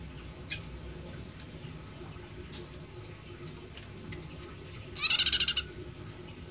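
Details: Prinia whose voice is described as unusual, unlike the typical sound; one short, rapid, buzzy high-pitched burst of pulsed notes lasting under a second near the end, over a quiet background with a few faint distant ticks.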